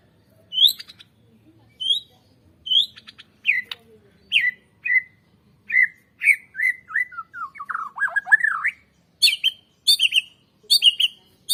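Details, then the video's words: White-rumped shama song, played as a lure to get birds singing loudly: high sharp notes, then a run of clear whistles sliding downward, ending in bursts of harsh buzzy notes. "PANCINGAN Murai Batu Agar BUNYI GACOR"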